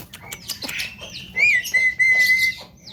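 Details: Young Javan myna singing full isian: scratchy chatter, then a rising whistle that flows into a long, steady, pure whistled note, followed by softer chatter.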